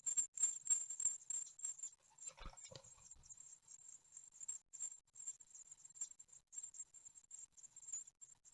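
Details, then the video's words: Feeding sequence of great tit chicks on day nine at Ostwald, 15 June 2020, via nest webcam. Rapid high squeaky begging, a heavy thump and scuffle midway, then softer continuing squeaks. "Séquences nourrissage (9ème jour) - 15/06/2020 - Les Mésanges Charbonnières d'Ostwald"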